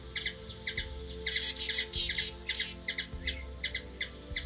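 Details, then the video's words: Rapid, squeaky chip notes run together into a brief chatter from a hummingbird in Washington DC, USA; faint low rumble and knocks behind. "Hummingbird | Bird noise"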